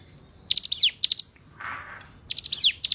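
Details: Short burst of hill prinia song for tutoring captive songbirds: two bright, high phrases of quick notes and a falling slur, separated by a soft rushing noise.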